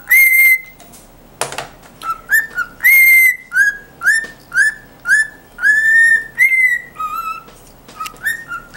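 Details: A male pet cockatiel whistles the intro of Adam Lambert's song "Naked Love", including a "yeah yeah yeah" part, in clear phrases of rising and falling notes.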